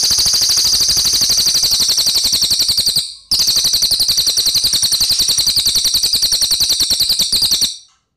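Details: Loud, rapid, high-pitched rolling trill of a cililin, a training recording for white-rumped shamas, with a short break near three seconds and dry ticking pulses beneath the trill.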